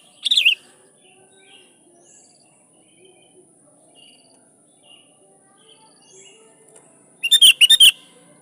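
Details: Energetic sooty-headed bulbul song for calling rivals and drawing wild birds to answer; one brief rolling phrase at the start, faint scattered twitters through a long pause, and a final burst of quick chirps.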